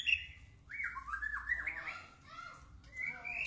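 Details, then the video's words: White-rumped shama song of wavering, warbled whistles sliding up and down, with a short high note at the start and a rising whistled phrase at the end. "Burung Murai Batu"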